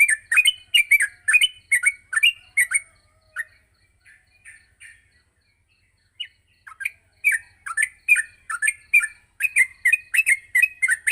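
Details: Morning yellow-vented bulbul chatter used as training material for bulbuls: rapid bursts of sharp, slurred chirps, a quiet pause with soft notes, then the fast chirping series resumes and continues to the end.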